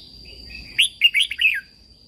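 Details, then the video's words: Red-whiskered bulbul, a Thai cage bird, in a song played to stimulate and train captive birds; one quick phrase of four or five clear, warbling whistles rising and falling, over a constant faint high-pitched hum. "เสียงนกกรงหัวจุก สำหรับต่อ หรือ เปิดให้นกคึก"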